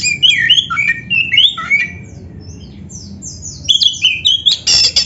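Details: Black-breasted oriental magpie-robin singing as a training model for caged birds: rich rising and falling whistled phrases, a quieter stretch, then loud high fluty notes and harsh squawks.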